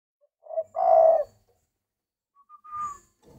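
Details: Captive spotted dove giving a strong, low, rolling coo, then a higher drawn-out whistled note after a short pause, in a quiet room.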